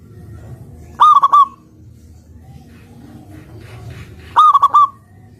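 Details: Zebra dove, a local perkutut, in full song: a brief burst of three or four quick, soft cooing notes, then a pause of about three seconds and the same stuttered phrase again, with faint low rumble behind.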